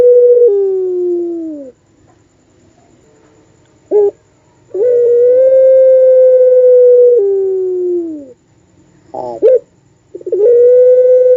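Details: Puter pelung dove delivering its long, wolf-like cooing: sustained level hoots that drop a step and slide down, separated by short broken stuttering notes, repeated several times.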